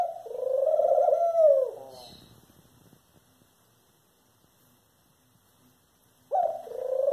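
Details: Eurasian collared dove making a drawn-out, buzzy nasal call that trails off. Over three seconds of quiet follow, then a second similar call begins abruptly. A brief rustle is heard between the calls.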